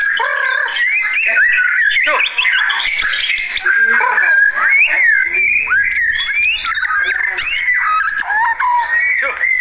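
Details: White-rumped shama singing while agitated, used as a lure and tutor song: a dense, continuous stream of varied whistles, slurs and rapid warbled phrases with harsh bursts, and no pauses.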